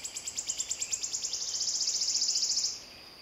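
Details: Wood warbler singing: a series of sharp, high ticking notes that speed up into a fast, shivering trill lasting nearly three seconds, then stop abruptly. The background is quiet apart from a faint hum.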